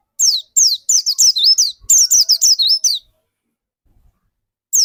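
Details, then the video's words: Actively singing dakun white-eye, used to lure other white-eyes into quick song: a fast three-second run of high, bright, descending and wavering twittered notes, then a pause before another begins. "Burung pleci dakun gacor seperti ini yang cocok buat pancingan burung pleci lain agar cepat gacor"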